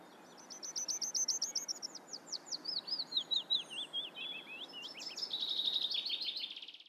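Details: Eurasian reed warbler song: a fast, chattering run of repeated rising and falling notes, whistles and buzzy trills, grouped in short repeated phrases, ending in a dense grating sequence; faint background noise.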